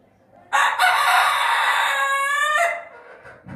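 A rooster gives one loud, harsh crow lasting about two seconds, starting abruptly and holding a strained, rasping tone before dropping away.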